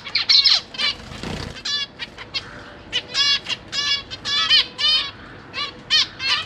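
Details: Caged zebra finch family during the chick-feeding period, 12 September 2023; nasal, harmonic calls in loose series, with a brief low thump early on, then repeated honks from several birds.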